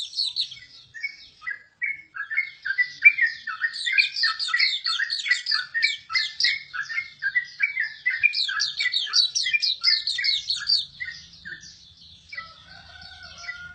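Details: A long, continuous Hume's white-eye song: dense, high-pitched chattering and twittering notes run together almost without pause, fading into a few thinner whistled notes at the end.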